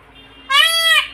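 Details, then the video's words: A peacock in a bird garden gives a single loud, nasal wailing call lasting about half a second, its pitch arching slightly, after a quiet, faintly humming background. "peacock voice"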